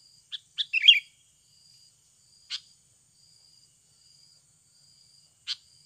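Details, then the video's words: Natural Sooty-headed bulbul sound used as a lure for birds: two quick chips leading into a brief scratchy chatter, then single sharp notes spaced about three seconds apart, with a steady high insect drone throughout. "SUARA ASLI PIKAT BURUNG KUTILANG UNTUK PANCINGAN BAHAN AGAR CEPAT BUNYI"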